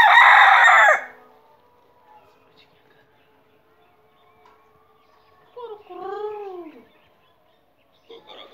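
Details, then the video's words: A rooster's loud, harsh crow breaks off in the first second; after a quiet pause comes a shorter, fainter crow that rises and falls. "Murga ki awaaz / Rooster crowing sounds"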